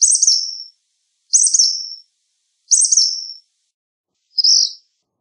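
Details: Black phoebe song: three loud, harsh, descending buzzy phrases at steady intervals, then a softer shorter note, all high-pitched with nothing else audible.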